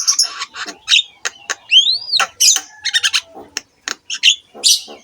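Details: Vigorous Javan myna song used to coax other mynas into singing: rapid harsh chatter and clicks mixed with a clear rising-then-falling whistle, mostly high-pitched and scratchy.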